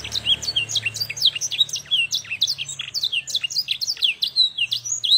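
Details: Young Yorkshire canary learning song, singing a blackthroat song: rapid high downslurred notes repeated in quick rolling series, with a faint low hum underneath.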